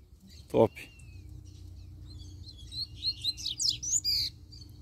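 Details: A free-living double-collared seedeater gives a rapid phrase of high, slurred chirps and whistles after a loud knock and a single thin whistle.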